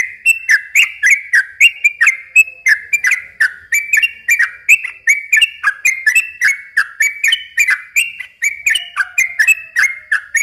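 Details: Yellow-vented bulbul in a long non-stop song, used as a lure for young birds: quick, bubbly paired notes with crisp high clicks, repeated steadily for ten seconds with no break.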